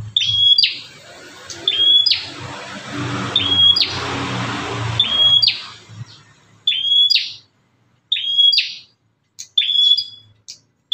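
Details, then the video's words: Bar-winged prinia, described as fierce, calling in a way used to lure other prinias: a flat, high whistled note that breaks into a buzzy downward burst, repeated about every 1.5 seconds, with soft background noise early on. "BURUNG PRENJAK GALAK INI SUARANYA BISA BUAT MEMACING BURUNG PRENJAK LAIN"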